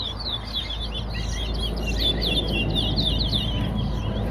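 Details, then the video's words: Chestnut-bellied seed finch (towa towa) singing in a bird song competition at Soesdyke, Guyana: rapid, dense warbled twittering notes, roughly four per second, with a man counting aloud throughout and low background rumble. "TOWA TOWA BIRD COMPETITION AT SOESDYKE GUYANA"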